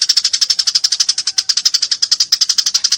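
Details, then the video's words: Eurasian tree sparrow, described as fighting and loud, giving a continuous fast stream of harsh, high chirps at about four per second, dense and unbroken throughout. "masteran burung gereja tarung gacor suara jernih"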